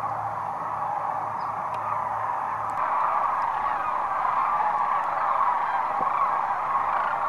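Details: Thousands of wintering sandhill cranes returning to roost at Whitewater Draw, Arizona, in 2010 in the afternoon after feeding in fields: a dense, continuous chorus of rolling calls from a huge flock, steady throughout with faint wind.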